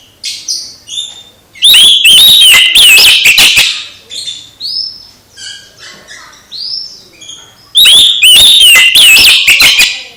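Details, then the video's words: Oriental magpie-robin singing to stir a sluggish rival magpie-robin into lively singing; loud bursts of rich, varied whistles and harsh rattling notes around two and eight seconds, with softer sweet whistled phrases in between. "Kacer MBAGONG langsung GIRAS lagi setelah dengar KICAU Kacer ini"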